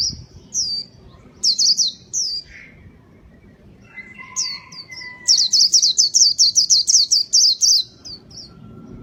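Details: White-eye (pleci) song used to lure birds: scattered high chirps early, then a rapid, rhythmic burst of bright twittering notes repeated several times a second, with a faint lower whistle in between.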